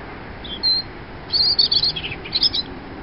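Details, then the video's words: Robin singing: a short high squeaky phrase, then a longer jumble of thin, twittering high notes after a pause, over a steady low background rumble. "Song of a Robin"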